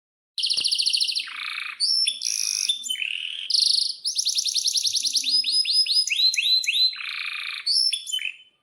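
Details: Canary in breeding condition singing loudly, a lure for training other canaries to sing: fast buzzy trills, rapid repeated upswept notes and long rolls change every second or so, with sharp chirps between phrases. No other sounds.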